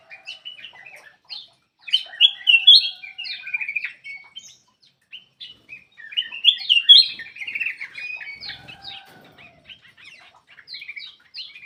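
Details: Black-crested bulbul singing to prompt silent birds into song: bright whistled notes mixed with quick twittering, in two main bursts around two and seven seconds, with softer chatter between them.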